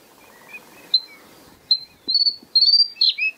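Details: White-spotted bluethroat at Kølsen-Skals Engsø, Denmark, 10 April 2020, giving clear high whistles, then a fast run of ringing drawn-out notes and a falling squeaky ending, after a quiet start.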